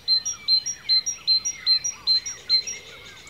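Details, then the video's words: Bird song in ancient woodland in Cornwall, UK: a bright, high whistled note repeated steadily about every half second, with softer sliding and warbling phrases from other birds beneath and a quiet forest background. "Bird Song in the Forest"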